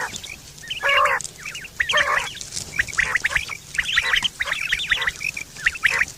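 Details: Quail sound from September 2023, a common call described for hunting and mating: rough nasal bursts at irregular one-second spacing amid busy high chirping, over a low hum.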